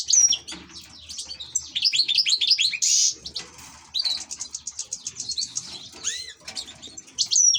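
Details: Goldfinch kept as an ornamental bird pours out fast, bubbling twittery song: rattling trills, a brief buzzy burst, looping whistled slurs, and a sharp high whistle at both start and end.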